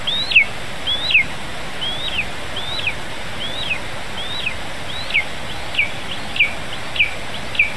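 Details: At a lesser spotted eagle nest with a nestling in Zemgale, Latvia, around 11 a.m. on 15 July 2019 as a vole is brought: thin, high whistled notes rising then dropping sharply, repeated about every half second over a steady hiss.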